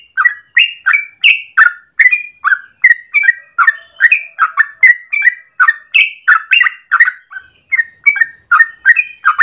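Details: Yellow-vented bulbul (trucukan) in morning, long rapid 'ropel' song meant as a lure or master for training birds: bubbly whistled phrases, dense run of short notes, nearly four per second, with no break across the whole stretch.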